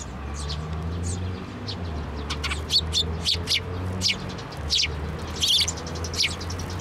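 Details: Eurasian tree sparrows, including one chick, flying onto a hand for food at a Tenmangu shrine on 17 May 2024: short, high, scattered chirps repeated irregularly over a steady low humming drone, possibly cooing.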